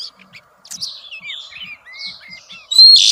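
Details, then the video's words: Oriental magpie-robin female giving xùy song to excite males: sparse, thin whistles with rising and falling slurs, ending in a loud, harsh, high note. "tiếng choè than mái xùy hót kích trống cực chuẩn"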